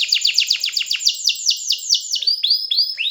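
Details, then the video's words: Canary song made of fast, sharply falling notes repeated about six times a second, slowing into fewer, longer upward-curving whistles at the end. "جميع طيور الكناري سوف تغني بعد الاستماع إليها Canary singing"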